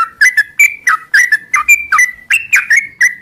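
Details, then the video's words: Sooty-headed bulbul (trucuk) singing in the morning in the 'ngropel' manner, close and loud: pairs and runs of rich whistled notes that swoop downward and lift again, evenly spaced. "suara trucuk ngropel panjang di pagi hari"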